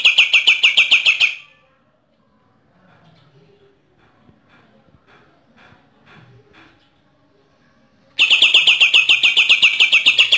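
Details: Bornean green leafbird from East Kalimantan, Borneo, singing in the rapid-fire 'AK-47' burst style: a quick run of sharp, evenly repeated chips, a pause with faint background sounds, then another machine-gun-like burst.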